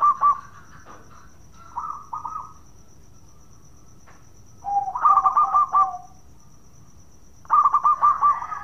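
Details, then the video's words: 'Bekur' song of local Zebra Doves used as a singing lure: short spaced bursts of quick soft coo notes separated by several seconds of quiet, a lower coo under one burst, and a steady faint high whine. "Pancingan Perkutut Lokal Gacor Suara bekur bikin menaikan Tensi Bunyi"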